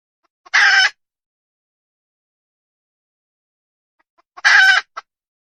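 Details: Wild red junglefowl hen uttering two loud, harsh, drawn-out squawks about four seconds apart, each lasting roughly a third of a second, with silence between them.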